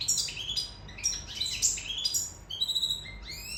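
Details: Sicilian European goldfinch in love: bright, jumbled twitters and short squeaky notes, ending in a few clear rising whistled phrases; low hum in the background.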